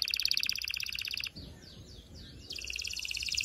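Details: Canary song meant to prepare males and females for mating: dense fast trills with a lull of faint swooping notes between them, over a steady background hiss.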